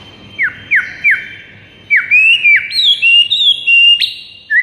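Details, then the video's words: White-rumped shama song recorded in the morning to train birds: sharp down-slurred whistles spaced apart, then a fast sequence of bright rising and wavering whistles ending in a short falling note. "PAGI HARI , 98% Murai bakal ikutan GACOR plus NARUNG seketika dengar MASTERAN ini"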